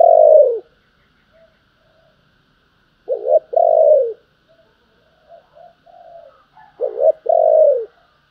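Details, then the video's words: Spotted dove in the calling and urging coo styles: repeated two-part phrases, a short wavering coo then a longer falling coo, about every 3.5 seconds, with faint softer coos between. "tiếng cu gáy Thúc và gáy gọi"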